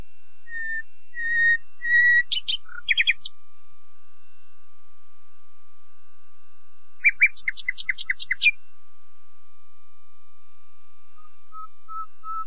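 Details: Common nightingale singing: clear whistled notes near the start, then two bursts of rapid, stuttering trills with sharp repeated notes, separated by silence and ending in a few soft, quiet whistles. A faint steady electronic hum runs underneath.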